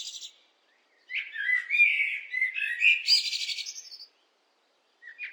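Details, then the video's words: Blackbird song phrase of fluty, warbling notes lasting about three seconds, closing with a thin, high, scratchy twitter, then silence and the start of the next phrase. "What do blackbirds sound like?"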